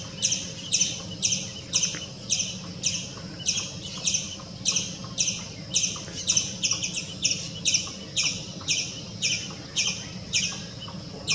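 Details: White-breasted Waterhen at a swimming pool, where it came out to eat water scorpions, giving harsh, squawking notes about twice a second in a steady, insistent series over a low mechanical hum.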